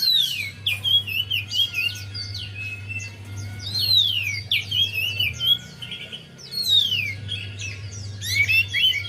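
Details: Javan white-eye singing, a recording meant to prompt a silent bird into song: bursts of bright descending whistles and fast chattering twitters, repeated in several phrases across nine seconds, steady low hum throughout.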